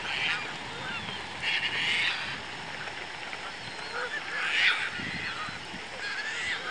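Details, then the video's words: A juvenile Semipalmated Sandpiper at Pointe Mouillee State Game Area, Monroe County, Michigan, on 20 August 2014, gives short, harsh, rough chattering calls in loose bursts every second or two over a steady background hiss. "Semipalmated Sandpiper"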